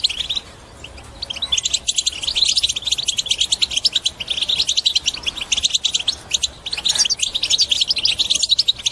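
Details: European goldfinch in its strong chattering song, played to encourage other birds to sing and break their silence: a rapid, dense stream of high twittering, tinkling notes with brief pauses, starting after a quiet opening second.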